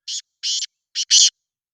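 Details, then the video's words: A black francolin gives a quick four-note grating call, a short buzzy note, a longer rasping one, then a brief note and a final loud drawn note, with nothing else audible. "کالا تیتر کی آواز"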